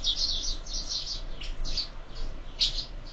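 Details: Sparrows feeding at a feeder fixed to a window at breakfast time; dense overlapping chirps and tweets, short bright notes in quick succession, steady low rumble underneath.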